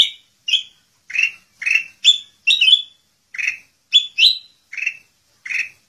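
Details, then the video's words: Sooty-headed bulbul singing gacor with full isian: clear chirped and slurred notes, some doubled with an upward flick, spaced about half a second apart in an even, lively rhythm. "BURUNG KUTILANG EMAS GACOR FULL ISIAN"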